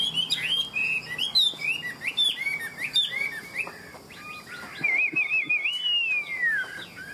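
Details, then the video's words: Caged, hand-tamed Chinese hwamei, a wild-caught fighting bird, singing a varied song of clear whistled phrases, slurred upward and downward sweeps and rapid trills, ending in a long warbling whistle that rises then falls. "Họa mi ngũ trường"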